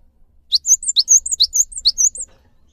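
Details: Rapid high song of a Cinereous tit, played to set caged birds singing: clear falling strokes paired with arched whistles, about five phrases in quick succession over a soft low hum.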